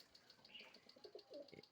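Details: Pigeons kept in a hot pigeon house, jumping about eagerly to be fed; soft, low cooing murmurs come late in the clip over a steady, rapid ticking and faint room noise.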